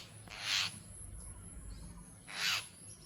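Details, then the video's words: Two brief, rough, hissing screeches from a jungle myna, about two seconds apart, against low rumbling background noise. "ঝুটি শালিকী | ঝুটি মইনা | Jungle Myna"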